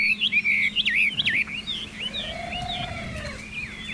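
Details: Caged Chinese hwamei singing: a fast run of loud, looping whistled notes that slide up and down, then softer, thinner phrases trailing off, with a steady low hum in the background.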